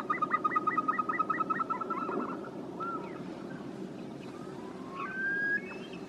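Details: Caspian snowcock opens with a rapid burst of pulsed whistles that slur together, then fades into scattered long rising whistles amid low rumbling noise.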